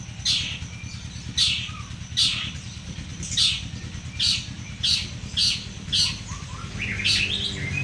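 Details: Two champion long-tailed shrikes, local birds from Madura and Bojonegoro set side by side, giving harsh, raspy bursts repeated about every second. A steady low engine hum runs underneath.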